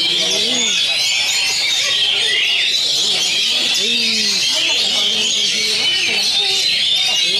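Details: Contest Oriental magpie-robin singing at an anniversary competition in South Tangerang, Indonesia, drawing reactions from spectators and judges; a busy stream of high whistles and trills over low human chatter.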